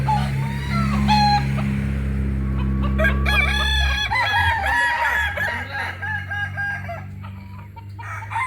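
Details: Kokok Balenggek rooster of Solok, West Sumatra, heard over a loud low droning hum; a multi-note stepped crow of rapid arched syllables rises in the middle section, with fainter calls around it.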